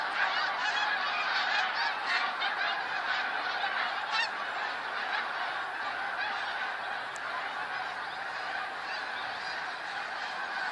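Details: Huge snow goose flock on 28 February 2013: loud, sharp honks stand out in the first seconds, then the chorus settles into a slightly softer continuous clamour.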